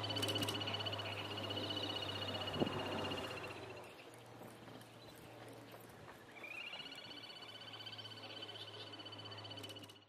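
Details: Little grebe parent feeding torn waterweed to newly hatched chicks; a high, rapid, rippling trill runs for several seconds, pauses with a low hum and faint background noise, then resumes, rising slightly, and carries on.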